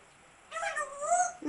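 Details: African grey parrot giving a drawn-out wavering whine, fairly level in pitch and rich in overtones, ending abruptly with a short lower note, recorded indoors.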